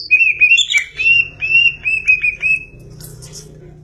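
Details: Greater green leafbird in 'gacor' song, a quick chain of bright, even-pitched whistled notes lasting under three seconds, then near silence with only a low background hum.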